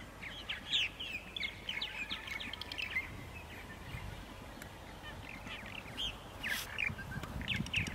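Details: Purple martins calling at 8:30 in the morning on 14 April 2012 in Center Moriches, Long Island, New York: dense overlapping chirps and gurgled notes from several birds, with a steady background hiss.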